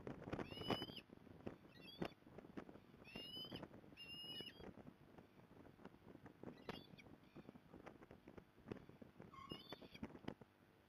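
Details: Osprey at a nest in Port Lincoln, Australia, on 15 November 2020, as the mother arrives to help: several thin, rising whistled chirps in short bursts, heard over heavy wind buffeting and rumbling outdoor noise.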